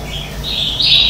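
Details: Morning song of a red-whiskered bulbul, used to train and excite other bulbuls. Clear whistled notes step upward and grow louder toward the end over a quiet low background hum.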